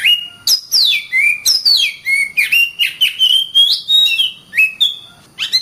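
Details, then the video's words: An Oriental magpie-robin in full gacor voice, pouring out a nearly unbroken string of falling whistles and chirps, varied and loud, with only brief pauses between notes. "suara burung Kacer gacor"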